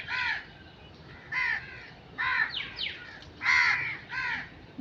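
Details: Crow calling with six loud, hoarse caws spaced roughly a second apart, each a short harsh burst with rich overtones, separated by quiet gaps.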